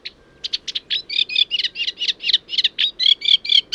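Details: Eurasian reed warbler song, similar to sedge warbler but much quieter and lower-pitched: a steady, chattering run of short grating and churring notes, about two a second, rhythmic and fairly even in tone.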